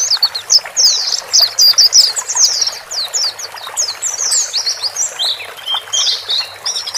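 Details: White-eyes, male and female, calling to help a newly bought bird settle alone in a new cage; dense high twittering chirps and short rising-falling whistled notes, fast and overlapping, with several birds chattering together.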